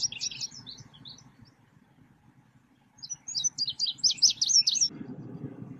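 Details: Selendang biru songbird recorded as a lure for trapping birds: a short burst of rapid, high twittering chirps, a pause, then a longer, louder run of sharp chirps and tweets over a steady low rumble.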